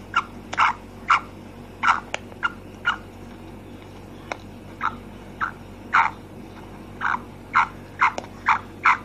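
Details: Female black francolin (kala teetar) giving a steady run of short, clipped mid-pitched notes, roughly two per second, some slightly louder and doubled, over a faint constant background hum.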